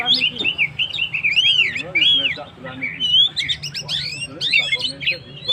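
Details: Vigorous Oriental magpie-robin song aimed at rousing stressed birds: arching whistled notes, some repeated in short series, broken by brief pauses and sharp high chips, with a soft low hum behind.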